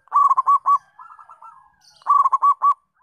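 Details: Zebra dove in full song, used to provoke other doves into singing: two loud phrases of about five clipped, rounded cooing notes, linked by a softer rolling, purring series.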